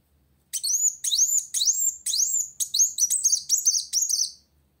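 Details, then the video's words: Sunbird singing vigorously to challenge a rival: a run of high, sharp notes that sweep upward, about two per second, with no other clear sounds. "Kolibri Wulung Gacor Cari Lawan"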